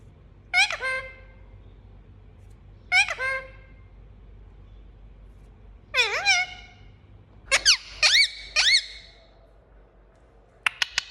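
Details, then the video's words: Indian ringneck parakeet kept indoors, giving single nasal squawks every few seconds, then doubled harsh chirps and a quick burst of sharp clicking notes at the end. "Indian Parrot Chirping Sound & Talking"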